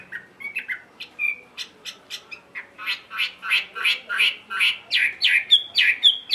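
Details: Chinese hwamei, a tame caged bird, singing solo at midday in ngũ trường style, delivering a fast run of buzzy, rasping notes that grow louder, ending in sharp whistled upslurs.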